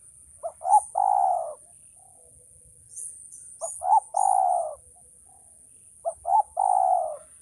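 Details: Male spotted dove repeating its phrase three times: two short sharp notes then a long hoarse coo, roughly every three seconds, in a quiet setting with a steady high hiss.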